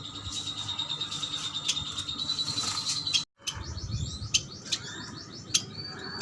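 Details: Quiet chirping from caged Kalimantan yuhinas, male and female, bought as a group: a thin steady high whistle with clicks, a sudden brief silence, then a run of fast down-slurred chirps and scattered ticks.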